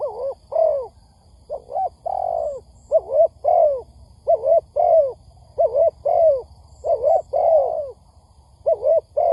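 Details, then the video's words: Spotted dove from a lure recording intended to excite doves for trapping. Continuous run of soft, rounded coos in paired and triple notes, ending each group on a longer falling tone, repeated many times. "Tiếng Chim Cu Gáy kích bổi nhanh nổi"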